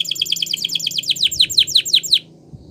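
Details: Gloster canary trains with song in a rapid chattering series of downslurred chirps. They accelerate into a dense run, then grow louder and slower before cutting off, leaving quiet hum.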